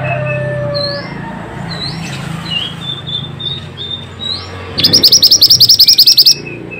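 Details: Pied bushchat, used to prompt silent birds to sing: soft upslurred whistles at first, then an abrupt loud, rapid trill of about fifteen high notes over a second and a half, with background hum.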